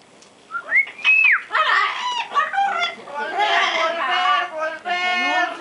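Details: A pet parrot singing at home gives a clear rising whistle, then a run of nasal, voice-like phrases that imitate singing and speech, with people laughing and applauding nearby.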